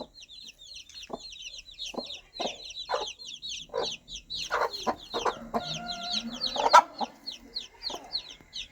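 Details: Baby chicks peeping in a high, thin stream as their mother hen calls to them with scattered soft clucks. The clucks grow denser toward the end, with a faint sustained tone in the background.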